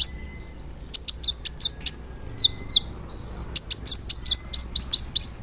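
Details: Singing big-bodied brown-throated sunbird used as a lure to agitate other sunbirds: bursts of rapid, very high, sharp chirps, each with a downward flick, separated by short gaps and a couple of softer notes.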